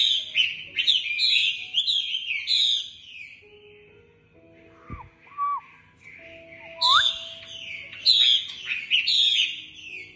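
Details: Caged female Chinese hwamei in Hanoi, valued for luring and stimulating males, pours out loud, varied whistled phrases with falling slurs. A mid-clip pause holds softer, lower swooping notes before the vigorous song resumes.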